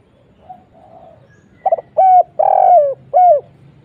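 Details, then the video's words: Spotted dove cooing, played as a lure to draw other doves to answer. Soft faint coos come first, then a quick stuttered double note and three low, hollow coos, the middle one longest and sliding down at its end. "SEMUA LANGSUNG NYAUT..!!! suara burung tekukur kuk 1"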